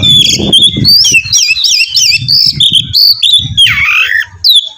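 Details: Oriental magpie-robin singing loudly to prompt another to sing: rich, varied whistled phrases with slurred and zigzag notes in quick succession, some harsh squawky elements, over low background thumps.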